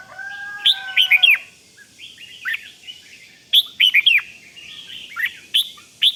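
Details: Red-whiskered bulbul giving the 'rik' style of calling meant to excite other bulbuls: bright, slurred chirping notes in quick clusters around two bursts. A level, steady double-toned whistle runs beneath the opening second.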